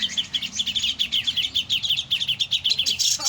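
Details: Grey-cheeked bulbul producing a steady stream of loud, quick chirping notes, several per second, evenly pulsed.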